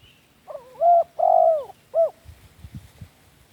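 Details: Spotted dove lure call for training captive birds: a soft lead-in note, then two loud hoarse coos and a short final coo, followed by faint low rustling sounds.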